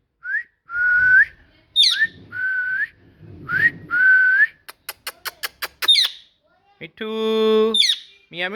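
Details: Parrot described as talking, mixing upslurred and level whistles with squeaky notes, a quick train of clicks, and a long nasal, strongly harmonic squawk near the end; soft low rumbling in the background.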